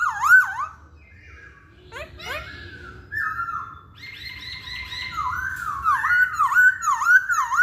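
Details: Masked laughingthrush song used to provoke singing: looping whistled notes, a few sharp upward-sweeping calls, then a steady run of rolling, undulating whistles repeated about twice a second toward the end.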